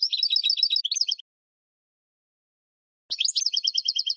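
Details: European goldfinch in spring, tutor recording for caged birds: a fast, buzzy twittering phrase, a gap of nearly two seconds, then the same rattling run of repeated notes starting again after a faint click.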